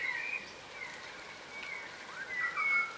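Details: Yellow rosellas, a subspecies of crimson rosella, feeding on the ground. There are sparse, thin whistles and soft chatter, with a clear sliding whistle near the end.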